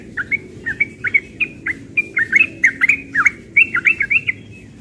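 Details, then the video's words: Young yellow-vented bulbul singing in the morning in the rapid 'ropel' style: a quick run of short bubbly warbled notes, each sliding up and down, packed close together for nearly five seconds. "Trucukan muda ropel pagi"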